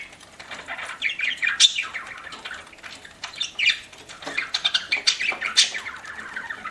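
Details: Budgerigar kept as a pet, chattering as it eats: dense bursts of harsh squawky chirps and short whistled notes, repeated in quick uneven runs with crunchy feeding clicks between.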